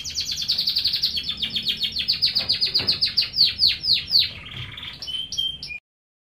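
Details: A domestic canary (Serinus canaria domestica), a kept songbird, sings a long, fast run of bright, high trilled notes, about four per second, ending in a few sharp whistled chips.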